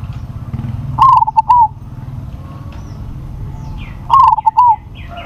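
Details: Zebra dove, a crossbred bird noted for a big voice, gives two loud cooing phrases about three seconds apart. Each is a short stuttering run of mellow notes that ends in a drawn-out coo, over a steady low hum.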